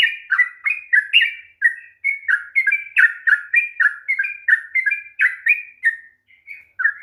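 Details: Sooty-headed bulbul pouring out a long rolling song intended to trigger a hesitant bird to sing: fast, uneven series of bubbly downslurred whistles, a brief pause near six seconds, then one more note.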